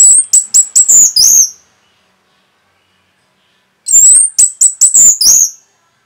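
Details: Rapid song of an Orange-headed thrush, used to provoke other birds: two bursts of five or six very high, thin, piercing whistles in quick succession, separated by about two seconds of silence.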